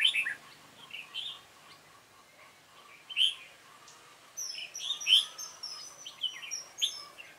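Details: Dark-bibbed red-whiskered bulbul at a decoy-bird trap, 28 February 2017. Loud warbled notes open the recording, then softer phrases follow, and a burst of tangled chirping comes near the end with other birds mixed in.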